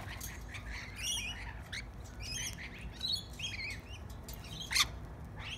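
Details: Tame lorikeets feeding on bread utter a series of short, scratchy chirps and squeaky notes, several overlapping, with one louder shrill note near the end over a low steady hum.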